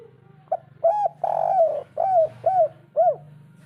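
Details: Spotted dove with the local 'kuk 3' coo style, used as a lure to get a quiet bird calling: a run of arched, mellow coos with one drawn-out rolling note in the middle, over a steady low hum.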